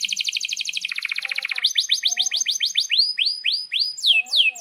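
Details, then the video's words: Energetic canary song for teaching young canaries: a fast high trill dropping to a lower rolling trill, then a steady run of downward-swept whistled notes about four per second, with a faint lower chirp underneath. "Kenari GACOR PANJANG INI Cocok untuk Masteran KENARI PAUD dan Kenari Macet BUNYI"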